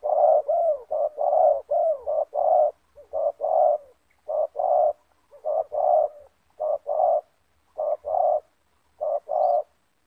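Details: Spotted doves of the loud-voiced banggo style: a caged decoy and a wild bird meeting in a yard, the decoy used to lure the wild one down. Low, deep coos in quick paired notes, about fifteen phrases repeated steadily over ten seconds.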